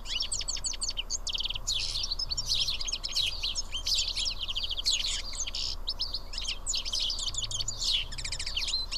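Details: House sparrows, seven of them eating together at Karyotissa, Greece, chatter in thick overlapping bursts of high chirps, short rapid series repeating across the whole stretch, over faint low hum.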